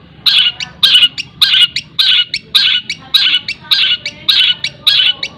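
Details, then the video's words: Long-tailed shrike in a tutor recording with mimicked fills: rough, scratchy double notes repeated steadily, nearly two per second, each a harsh chirp followed by a short tick. "CENDET ISIAN TENGKEK BUTO SPEED RAPAT SAMBUNG GREJA SAMBUNG KUNTI"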